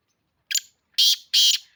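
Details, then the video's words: A black francolin calling with three loud, harsh, grating notes in under two seconds, the first short and the next two longer and rasping; no other sounds. "Kaaly teetar ki awaz black Francolin calling black Francolin sound black Francolin voice Kala teetar"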